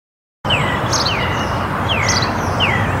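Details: Song thrush visiting woodland in Perthshire, Scotland, repeats a clear, down-slurred whistled note about four times, with thin high notes between, over a steady low rumble like distant traffic.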